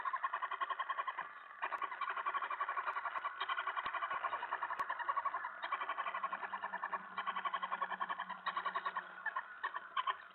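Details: Owl at night, 2:07 AM on July 25, 2017, during a mouse delivery at feeding time; rapid raspy harmonic notes repeat about three to four times per second, almost without pause, in a small enclosed space.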